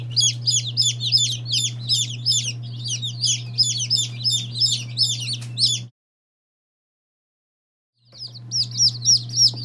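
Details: Day-old chicks of mixed breeds, Lavender Orpington, Marans, Silkie, Serama, Legbar and Salmon Faverolles, peeping together: a dense chorus of high, shrill, rapidly repeated peeps over a steady low hum, broken by two seconds of silence before resuming.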